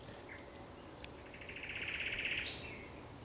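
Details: Thrush nightingale singing at sunset on 30 May 2021: a high pure whistle, then a fast, even, rattling trill of clicking notes that ends in a sharp upward flick, over a quiet background.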